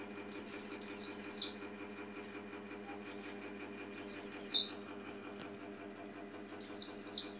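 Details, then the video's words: Small yellow-green white-eye (pleci) giving three separate short bursts of rapid, high-pitched descending chirps spaced a few seconds apart, with a faint constant low hum filling the quiet gaps. "Kicau Burung Kacamata Mungil Cantik"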